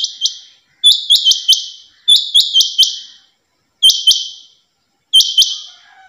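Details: Female rain quail giving high, harsh buzzy notes in quick runs of two to four, each run ending abruptly, with short pauses between runs.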